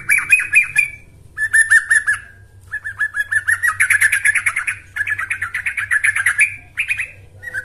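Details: Bursts of lively bulbul chatter from a yellow-vented bulbul training lure, quick bubbly notes in phrases of one to two seconds, broken by brief silences, ending with short separate notes.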